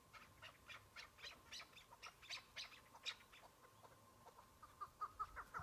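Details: Single Chukar partridge in spring snow during the start of the season, used as a decoy in a hunt, giving a rapid series of harsh, chattering clucks, roughly three to four a second, ending in higher, squeakier notes.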